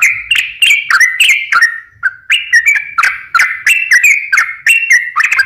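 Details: Sooty-headed bulbul singing as a lure for lazy, stressed birds: lively chains of liquid whistled notes that rise and fall, with one brief pause near the middle and then more rapid phrases.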